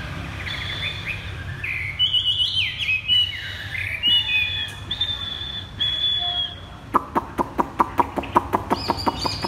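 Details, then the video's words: Chinese hwamei giving a rich song of varied slurred whistles and warbles, followed by a quick series of sharp evenly spaced clicking notes. "Chim hoạ mi đặt đất hót thắt cổ chai thắt cổ chai"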